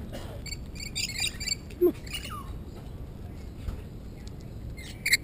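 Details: Very tame Rainbow Lorikeets on the New South Wales South Coast, Australia, jump onto a person's arms and hands, giving scratchy, high chattering squawks in quick bursts, then one sharp screech near the end, over steady background hiss.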